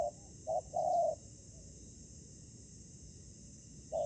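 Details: Spotted dove call during ground trapping, with a decoy bird facing fierce wild doves. A soft opening note, a short hoot and a longer steady coo are followed by a long quiet gap, then another short note at the end.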